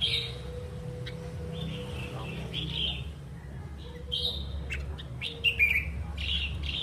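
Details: Red-whiskered bulbul, a wild-caught bird kept in a cage and said to sing often, delivers a string of lively whistled, warbling phrases at irregular intervals, with a steady low electrical hum beneath.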